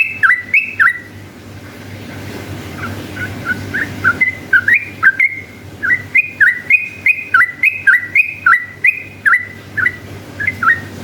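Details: Lively yellow-vented bulbul delivering a long ropel run meant to provoke other bulbuls to sing. A loud opening burst, a softer quieter stretch, then a sustained rapid series of bubbly looping whistle pairs with clicks.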